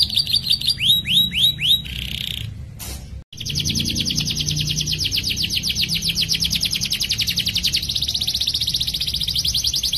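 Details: Canary singing a long rolling song meant as master training for other canaries: a few swooping whistled notes, a brief break, then an extended fast buzzy trill of rapidly repeated notes running steadily to the end.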